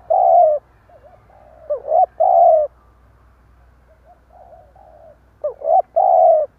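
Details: Spotted dove used as a decoy, cooing in the stammering style: a strong coo, a soft wobbling note, then a stuttered pair leading into another full coo, the phrase repeated twice.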